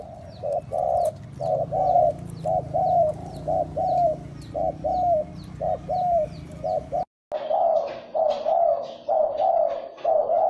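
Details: Spotted dove coos meant to stimulate and attract other doves: evenly repeated soft hollow notes near one a second, broken by a brief silent gap, then resuming, with thin high chirps of other birds in the distance.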